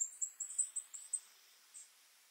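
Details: Shining sunbeam hummingbird recorded in Los Nevados National Natural Park, Colombia: a quick run of seven or eight very high, sharp ticking chips, then a pause and a single last chip, with a faint rising whine behind.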